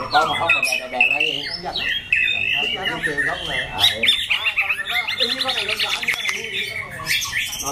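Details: Competition-grade white-rumped shama, caged, with a loud harsh voice that switches tones, pouring out a dense jumble of fast whistled and chattering notes that turns into rapid repeated trills.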